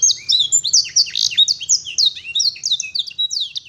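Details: Canary tutored with blackthroat and sanger song sings sharp, high downslurred whistles and quick chips, about one to two notes per second in irregular, lively bursts.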